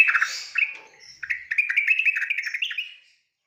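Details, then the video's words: Training recording of a yellow-vented bulbul for young birds: a burst of chirps, a brief soft dip, then a rapid, jerky warbling run of rising and falling notes that stops cleanly before the end. "BURUNG TRUCUKAN bisu langsung bunyi"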